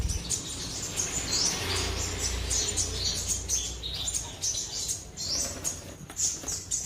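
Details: Black-throated sunbird kept in a cage in Quy Nhon, Vietnam, in full song: a stream of high, squeaky twittering notes and short trills, mixed with fluttering wings, a low steady hum and a brief voice at the start.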